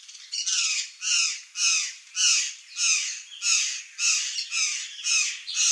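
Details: A wild curl-crested jay in Brazil gives harsh, broad squawking calls, about ten in a row at a steady pace of roughly two per second.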